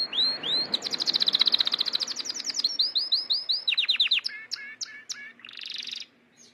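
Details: Song of a Gloster canary coming into breeding condition: a loud, fast rattling trill, a slower series of sweeping notes, scattered sharp chips and a final buzzy flourish.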